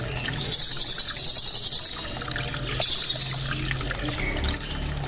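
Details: Loud, sharp srindit, or blue-crowned hanging parrot, performing 'cililin' trills: a fast, even series of very high, ringing notes runs over a second, pauses, then repeats more briefly before one thin whistle, with water trickling behind.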